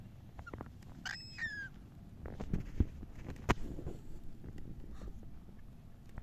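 A cockatiel gives one brief, slightly falling chirp with a rich, harmonic tone. Low rumbling room noise and a few sharp knocks fill the rest.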